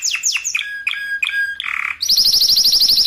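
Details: Spanish Timbrado canary song used as a tutor recording for training other canaries: a run of sharp descending whistled notes, a brief harsh buzz, then a fast tight metallic trill rolling about ten notes a second.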